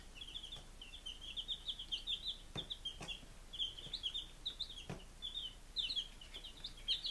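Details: A group of baby chickens on day five, Lunenburg, Massachusetts, summer 2017, peeping steadily in dense strings of high, slightly wavering chirps, punctuated by a few sharp clicks.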